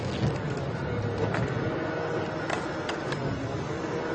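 Steady engine rumble from a vehicle during a morning safari drive at Djuma Game Reserve on 11 February 2015, with faint clicks and rattles and no clear animal voice.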